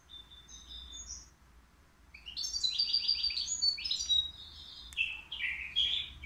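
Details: Caged European goldfinch, three years old, at the Al Qurei'a bird market, described as singing without mistakes; faint opening notes, then from mid-clip a fast, loud run of high twittering, trilled and buzzy phrases continuing to the end over low background hum.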